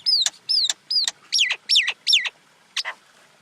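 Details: Common myna giving a quick series of clear whistled notes: three similar arching whistles, then three longer notes that sweep downward, and a brief final pair after a pause. The background is quiet.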